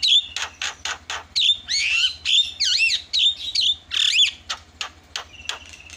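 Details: Javan myna calling as a lure to draw other mynas into calling: rapid harsh squawks and twisting whistled notes, loud and repeated with little pause.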